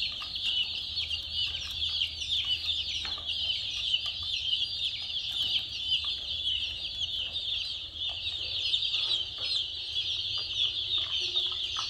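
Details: Colorful chicken chicks in a mini car setting keep up a long, even chorus of high, thin peeps. Countless overlapping chirps form a continuous shrill wash, with occasional sharper notes.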